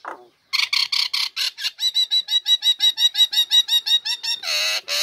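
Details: Female Nias hill myna singing in a cage, used to coax idle birds into song: a low slurred note, then a long steady series of rapid buzzy pulses about three per second, ending in a drawn-out harsh rasp.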